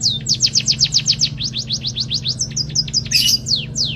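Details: Munia trained on canary song gives a rapid trill of high, downward-slurred notes, shifting to slower higher chips and a brief scratchy burst near the end, over a constant low hum.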